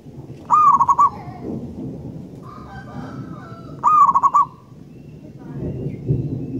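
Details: Zebra dove, a local wild bird, gives two rolling, rapidly pulsed coo phrases about three seconds apart over heavy low rumbling noise, with another faint bird call between.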